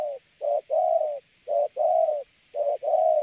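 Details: Spotted dove cooing continuously with a stuttering delivery, each short coo running into a longer rounded one, the two-note phrase repeating about every second, slight background hiss.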